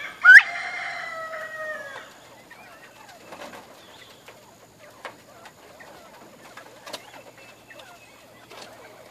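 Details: Georgia Giant northern bobwhite in a grow-out pen calling in the morning because they are hungry: one loud, long harmonic note with a sharp upward start, followed by quieter scattered chatter and soft calls.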